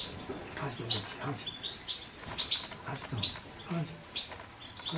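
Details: European goldfinch repeating sharp, bright high notes in quick clusters about every second, mixed with softer twittering in between.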